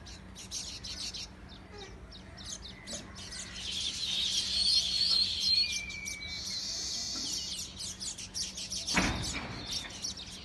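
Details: Birds chirping in a dense, overlapping high-pitched chorus that swells mid-clip, with a thin steady whistle beneath and a sharp click near the end.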